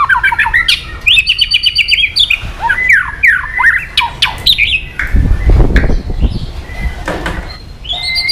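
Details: Loud, varied white-rumped shama song used to provoke another shama: rich whistles, chattering runs and swooping slurs, interrupted midway by a burst of low thumping noise before the singing resumes.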